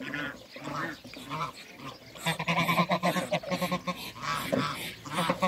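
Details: Backyard Muscovy ducks, two males and a female, with other waterbirds nearby; rapid breathy puffing and hoarse calls, quieter at first and then rising into a dense run of pulsed notes.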